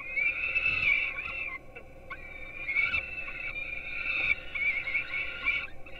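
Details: Young peregrine falcons on a webcam nest in Gdynia, Poland, at 4:21 am, dated 5-11-16, getting fed breakfast. High, whining, drawn-out begging cries run almost continuously, rising and falling slightly, with brief gaps and faint clicks over steady hum.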